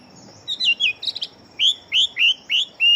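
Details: Big-bodied fighting Chinese hwamei, noted for very fast singing. A few quick clipped notes lead into five loud, evenly spaced whistles, each sliding downward, against a faint constant high-pitched hum.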